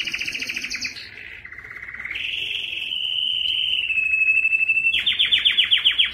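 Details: Male canary song from a canary room: buzzy trills give way to a long, smooth, steady roll, then the bird finishes with rapid, sharply repeated chopped notes that grow louder.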